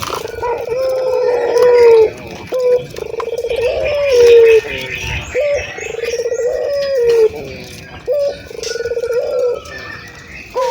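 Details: Vocal local ringed turtle dove from Indonesia, a recording meant to prompt doves to coo: steady low coos, each a short rising note followed by a long drawn-out falling tone, repeated roughly every two seconds over a faint hum.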